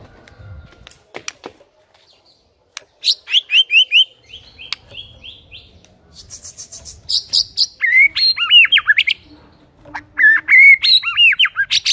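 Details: Vigorously singing white-rumped shama used as a lure for non-singing shamas: faint clicks at first, then bursts of rapid high chattering notes and looping whistled phrases that grow louder and more frequent.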